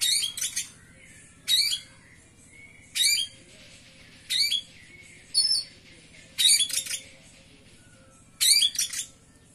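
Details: Oriental magpie-robin at a bird singing contest, where it placed third, giving short harsh, scratchy double bursts of high notes about every one and a half seconds, with steady low hum beneath.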